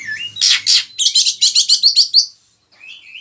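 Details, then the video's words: Oriental magpie-robin (kacer) singing vigorously, its song repertoire used as a lure to train other birds: two loud buzzy bursts, then a quick run of about nine sharp, high chipping notes, a pause, and soft whistles at the end. "Pancingan suara kacer gacor, bongkar isian burung"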